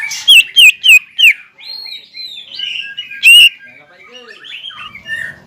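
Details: A greater green leafbird in lively song aimed at a rival: four loud, sharply downslurred whistles, then a soft meandering warble broken by one more loud note.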